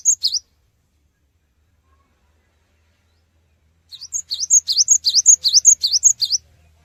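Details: Cinereous tit song played to bring quick responses from other birds: a short fragment of high notes, a long pause, then a two-and-a-half-second run of rapid repeated rising-and-whistled double notes.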